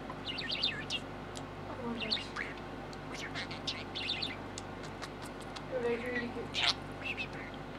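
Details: Male American budgie, six months old, talking to a green yoyo ball he loves to play with: short chirps and scratchy warbled phrases, with mumbled speech-like chatter over a steady low hum.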